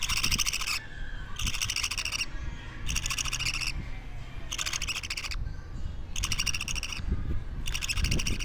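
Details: Two-week-old baby budgerigar kept as a pet, giving harsh, raspy buzzing calls in bursts of about half a second to a second, separated by short pauses, over low room rumble.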